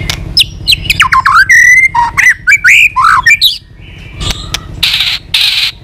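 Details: White-rumped shama song for rousing low-spirited birds: rapid varied whistles and harsh notes, then a few sharp clicks and a hissing burst.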